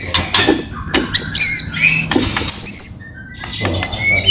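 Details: White-rumped shama hard chattering song, a lure for other shamas: harsh squawky bursts mixed with short high whistles, repeated in uneven bouts.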